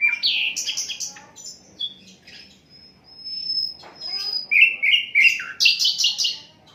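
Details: Asian brown flycatcher song, recorded unedited, used as a tutor for training other songbirds: varied sharp chirps and short trills, a long thin high whistle in the middle, then a run of quick descending buzzy notes.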